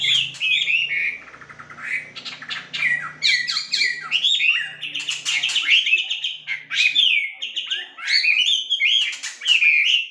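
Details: Red-billed blue magpie, though described as a wambi (Chinese hwamei, Garrulax canorus) being trained to sing, pouring out a loud, restless run of varied whistles, squeaky chatters and slurred notes with almost no pause, over a faint low hum.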